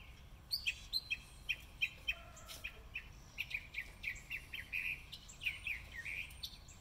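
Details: Spring song of a northern mockingbird on March 26, 2020: quick runs of sharp, high chirps repeated in rapid bursts, some phrases with clipped downslurred notes, delivered steadily against faint ambient noise.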